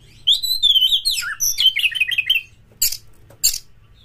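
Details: Oriental magpie-robin (kacer) pancingan song; a long flowing stream of varied whistles and slurred chattering notes for two seconds, followed by two harsh scratchy bursts.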